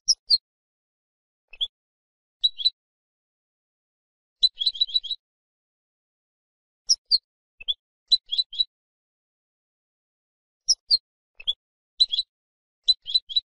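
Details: European goldfinch song from a silvestrismo recording: clean, high tinkling notes in short bursts of two to six, spaced by pauses, with some quick paired chirps; no other sounds.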